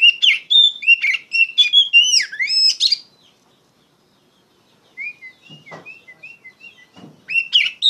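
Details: Song of an Oriental magpie-robin used to teach other songbirds: a three-second loud, rapid medley of sweeping whistles and buzzy notes, a silence, soft short whistles with clicks, then the loud medley again.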